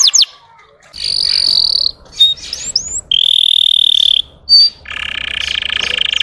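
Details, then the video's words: Russian canary singing to provoke other canaries: bright, fast rolling trills at changing pitches, with short upward-sweeping whistles between tours and brief pauses. "SUARA BURUNG KENARI RUSIA UNTUK MANCING EMOSI BURUNG BAHAN"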